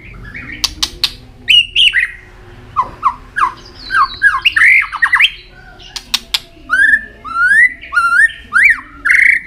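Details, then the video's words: White-rumped shama in a cage, singing while flicking its tail, used to excite young birds into singing: a rich run of rapid down-slurred whistles and chattering squawks in quick bursts, with sharp clicks between phrases. "chòe lửa hót đánh đuôi.chòe lửa tạch kích bổi lên lửa hiệu quả"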